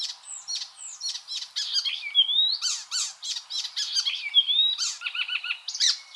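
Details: Icterine warbler song used as a tutor recording for training songbirds: a fast, varied stream of high chirps, sweeping whistles and buzzy notes, with some short notes repeated in quick runs, continuous over six seconds.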